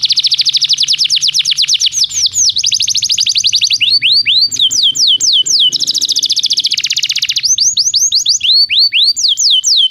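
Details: Canary song used to stimulate a canary to sing: dense, continuous fast trills alternating with sweeping whistled notes, almost without pause, loud and high-pitched throughout.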